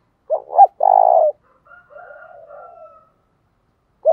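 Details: Spotted dove call in the Thổ Pha Đồng voice, played to attract wild doves: two brief coos and a long, rough, trembling note, then a quieter drawn-out call in the background and the start of the next phrase.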